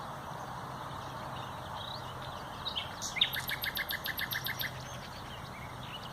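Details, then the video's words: On 30 April 2021 a common nightingale delivers a rapid, even series of about a dozen loud, dry, clicking notes after a few soft chirps, then falls quiet against a faint low drone. "NACHTEGAAL (COMMON NIGHTINGALE)"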